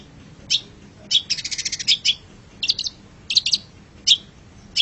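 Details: Long-tailed shrike song used to train pet birds: scattered high chips around a fast rattling trill, with short doubled notes after it.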